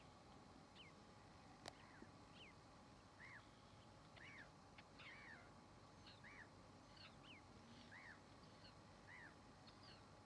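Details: Common tern with two grown chicks: faint, thin down-slurred calls repeated every second or so, some in quick pairs, over steady background hiss and a low hum.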